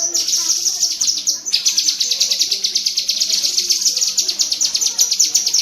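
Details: Tembakan cerecetan from a cucak kinoi bulbul, delivered as a steady, rattling stream of high, sharp notes after one brief break. Serves as training audio for songbirds kept as pets.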